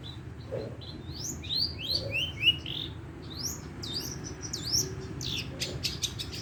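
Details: Madura-type long-tailed shrike giving a mimicry-rich song of sparrow and lovebird phrases, played to lure and teach other shrikes; sharp upslurred whistles and squeaky notes, then a few harsh high chatters.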